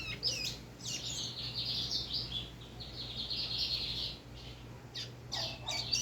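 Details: Rusty-collared seedeater delivering a long high twittering, buzzy warble with rapid repeated notes, over a constant low hum.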